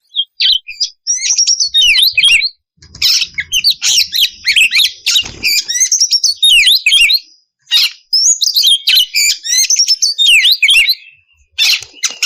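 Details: Oriental magpie-robin song played to provoke rival birds into singing: long stretches of rapid, rasping chatter and buzzy high trills with sharp whistled figures, broken by a couple of short pauses.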